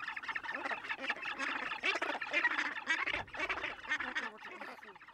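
Australasian gannets in a dense colony chorus of harsh, grating, overlapping calls, rasping and honk-like, with no pause between them.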